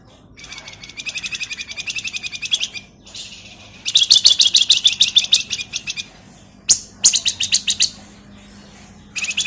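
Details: Male flamboyan singing as a lure bird, its song described as ngebren, nyerecet and nyuling: rapid, dense buzzy trills of sharp high notes in three bursts, with a short pause before each burst.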